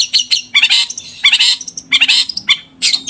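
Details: Javan long-tailed shrike, 'gacor' song rich in clear 'isian' fill-ins: dense, scratchy chatter of quick high notes and rasping squawks, almost without a break.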